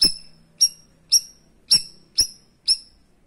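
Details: Sharp, high 'tembakan' shots from a cream-striped bulbul, used to tutor other birds: six piercing whistled notes about half a second apart, each starting with a hard click, over quiet background.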